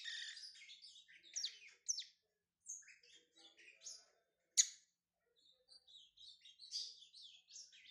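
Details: Lined seedeater in brown plumage, a singer from Pernambuco, Brazil, starting out its song: bursts of quick high chirps and twittered phrases split by short silences, one sharp loud click near the middle, then softer scattered twitters.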